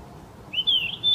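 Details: A yellow-rumped flycatcher, a summer visitor, sings in Gyeonggi-do, South Korea, on 4 May 2024: a brief, clear, slightly wavering whistled phrase at mid-high pitch, in three quick pulses lasting about half a second.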